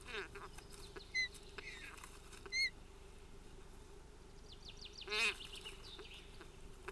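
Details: Nest-camera recording of Ospreys squabbling at the nest on 25 June 2018: three sharp whistled notes, the last one louder and ringing. Faint softer chirps fall between them, all over a constant electrical hum.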